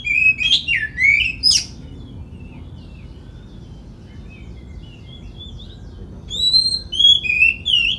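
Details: Singing Oriental magpie-robin used as a lure so other males answer and fan their tails; loud swooping whistles and sharp upslurred notes open, soft scattered twitters follow, then clear rising and falling whistled phrases return near the end.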